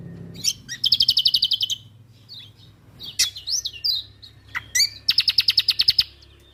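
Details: Lively Lombok white-eye in song for songbird training: two long rapid trills of sharp high notes framing a middle stretch of varied squeaky whistles and chips, over a low steady hum.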